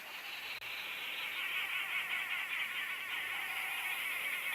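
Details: Arrow-marked babblers at sunset on a January safari drive chatter in a dense, harsh, rapid stream of overlapping calls, ordinary chatter rather than alarm calls, with a steady high hiss of other birds or insects behind.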